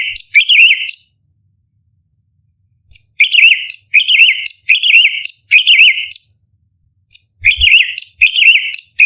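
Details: Orange-bellied leafbird song in the 'tembakan' style, used as a master recording for contest birds: bursts of a sharp high note plus a warbling, wavering phrase, repeated in runs separated by short silences.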